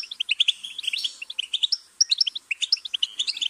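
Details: Singing goldfinch delivering fast, sparkling twitters and sharp high chirps in quick succession, pausing briefly midway.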